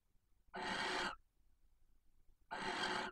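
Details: Two rasping, breathy screeches two seconds apart from a female barn owl in submissive posture outside her nest box in Cabañeros National Park, summoning the male to mate, with near silence between.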